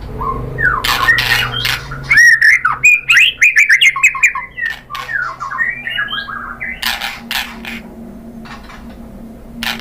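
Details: White-rumped shama song as a lure to make another bird sing: scattered whistles, then a dense fast sequence of twisting whistled and chattering notes fading into soft chips, with several sharp clicks.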